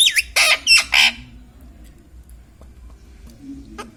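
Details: Pet Indian ringneck parakeet, a talking parrot, gives four loud harsh squawks packed into the first second and a quarter, then near silence with faint room noise and a brief soft sound near the end.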